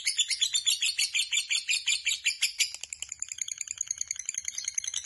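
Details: Lovebird's long ngekek chatter: harsh, high repeated notes at roughly three per second, loud at first, then shifting into a quicker, thinner twittering run.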